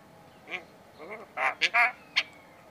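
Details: Tame Javan myna said to be able to talk, giving a short run of harsh, nasal, speech-like syllables, a few quick broken notes followed by two louder squawky bursts and a final sharp note, with a person laughing just after.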